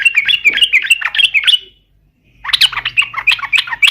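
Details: Energetic yellow-vented bulbul song as a lure for other birds: two long runs of fast, chattering, bubbly notes split by a brief pause, over a faint low background hum.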